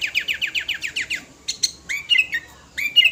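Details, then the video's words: Lively five-year-old sooty-headed bulbul singing its full repertoire to call other birds: a fast, steady series of about ten short, downward-sweeping notes, then a few sharp chips and clear, ringing whistled phrases. "Kutilang gacor full materi"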